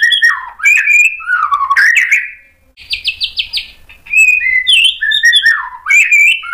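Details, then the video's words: White-rumped shama in full varied song, played to provoke other shamas: loud sliding fluty whistles, a rapid stuttering series of short repeated notes mid-phrase, then more swooping whistled notes. "KICAUAN MURAI BATU bikin NYAUT EMOSI jadi BUNYI GACOR NGEPLONG BONGKAR ISIAN | PANCINGAN MURAI"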